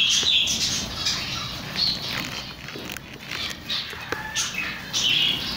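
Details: Several chicks give quick, high, thin peeps, some slightly falling in pitch, repeated rapidly and overlapping over a constant low rumble.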